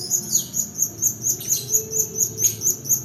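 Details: Long-tailed shrike in extended rolling song, used to lure reluctant birds and train others. A high, sharp note repeats steadily about twice a second through the whole stretch.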